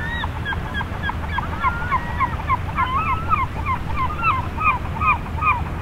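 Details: A flock of Eurasian oystercatchers on a tidal flat at Funabashi Sanbanse, Chiba, Japan, recorded binaurally one morning; many sharp, piping calls overlap in a rapid, busy chatter over a steady low rumble from the shore.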